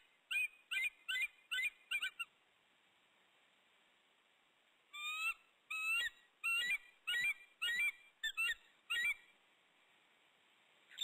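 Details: Wild female bald eagle in the nest in the morning, calling up to her mate perched just overhead ahead of a pair-bonding session; two bursts of high, squeaky piping notes, six then about nine, each note sharply inflected, separated by silence.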